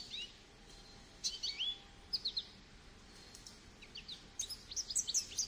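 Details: Sparse Goldfinch song heard softly: a few short groups of high, tinkling notes and rising slurs separated by quiet pauses, with a busier flurry at the close.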